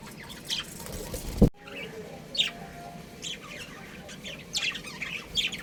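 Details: Pet budgerigar breeding pair giving brief, high chirps and short warbling notes at intervals, with a sudden knock near the start and a soft low hum throughout.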